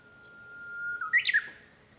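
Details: Japanese bush warbler heard from a room at home on 5 May 2013. A level, drawn-out whistle gives way to a brief burst of sharp, tumbling notes, clearly audible over quiet indoor background.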